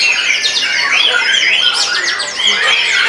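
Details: White-rumped shama after moulting, singing wildly: loud clear whistles that slide and loop, broken by rasping squawk notes, all delivered in a rapid, unbroken outpouring.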